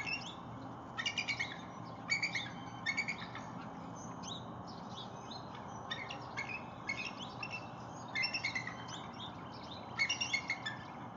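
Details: Bald eagle vocalizing at Lake Murray, 19 January 2022, while guarding a freshly caught fish from a begging juvenile: bursts of high, rapid chittering notes roughly every second, over a low constant hum.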